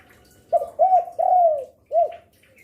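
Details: Spotted dove in full song, used to lure other doves; a single phrase of four mellow coos, the third long and drawn out, the last short and clipped, over quiet background.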